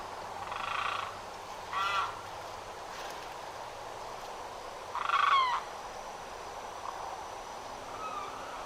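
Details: A limpkin in Florida gives loud, harsh wailing cries in short bursts, strongest near the middle, fainter calls between, over steady hiss; males shriek and cry especially in the breeding season, often through the night.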